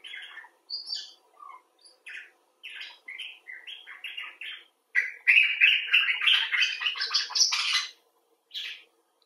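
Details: Common bulbul chattering: scattered soft chirps at first, then a loud dense run of rising, bubbling notes climbing in pitch before a final lone chirp.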